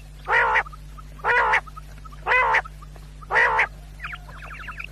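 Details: Quail call for hunters: four loud, harsh, buzzy notes evenly spaced about one second apart, followed by a quick run of soft twittering chirps, with a low hum beneath.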